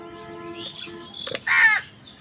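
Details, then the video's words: Crow angrily contesting food with wild birds lets out a single rasping caw after a short passage of steady musical tones and a brief clatter. "Angry kawa ki awaaz Wild birds fight with crows for food"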